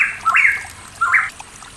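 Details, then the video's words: Pitohui in the mountains of East Java, used as a lure recording, gives two short harsh notes about three-quarters of a second apart, each stepping sharply up in pitch, quiet background. "PANCINGAN BURUNG PITOHUI MACET"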